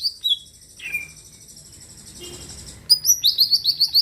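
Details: A greater green leafbird pours out song to rouse other birds. Sharp whistles and a downslurred note come first, then a long thin high trill, ending in a rapid run of bright, rising chirps about seven per second.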